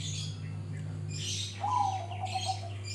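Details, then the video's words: Lure recording of an actively singing grey-bellied bulbul: a bright, falling slurred note in the second half follows scattered high twittering, with a constant low hum beneath. "Cucak Rante gacor Buka Paruh Pancingan"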